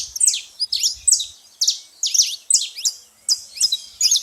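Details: At a baited feeding spot, a noisy saffron finch gives bright, high chirping phrases in clusters about every half second, separated by brief gaps.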